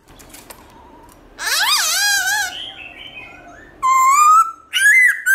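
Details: Black-throated laughingthrush in morning song, forest style with shifting voice: a faint whistle, then a long rich warbled phrase rising and wavering, ending in steady clear whistles and a sharp rising note.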